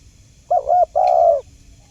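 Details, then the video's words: Spotted dove coo played to lure wild doves for trapping: one wavering broken note followed by a long steady mellow hoot. "Dijamin burung macet bunyi langsung nyaut"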